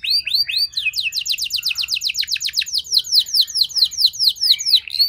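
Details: Canary song used to prompt other canaries to respond and sing: rapid trills of descending whistled notes, about two per second at first then fast repeated high sweeps, bright and continuous with no other sounds.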